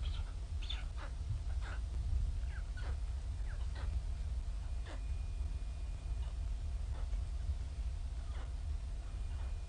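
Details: Hungry White stork nestlings at Ustroń, mid-May 2019, mother absent since 6 a.m. and weather bad, utter repeated thin mewing begging notes at an irregular pace, fairly faint, against continuous low-pitched rumbling noise.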